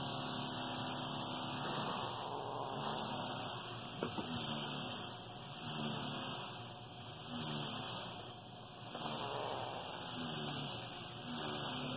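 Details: Steady mechanical hum and hiss swell and fade in slow, regular surges, with no clear animal voice.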